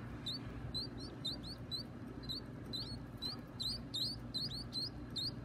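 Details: Baby birds being fed make thin, high, upward-flicking chirps, spaced unevenly at about two per second over a low background hum.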